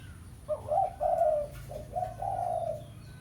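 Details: Spotted dove giving a 'pesom' type lure call used to call a rival for ground trapping: one phrase of low, mellow coos, a short note followed by two longer hooting ones and a rough trailing coo, with faint background hum.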